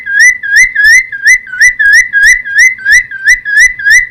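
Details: Cucak timor song, used to lure and train wild-caught birds: clear, upslurred whistled notes repeated steadily, about three per second, each ending in a short bright flick.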